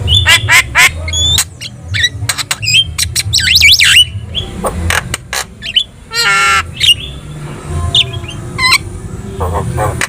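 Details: Javan myna in full, lively song, used as a training recording to make other birds respond: harsh squawks, rasping buzzy bursts, whistled upslurs and fast chattering runs in a dense, varied stream, over a steady low hum.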